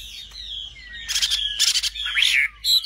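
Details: Common nightingale song, a varied phrase: a thin high whistle, two dry buzzy rattles, then swooping whistled slurs and a sharp high note.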